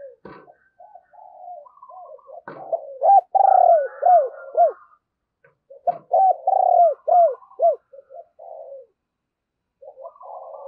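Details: Decoy spotted dove driving and cooing to draw in wild doves: two bursts of four or five loud, rounded coos with softer notes between, plus a few brief clicks.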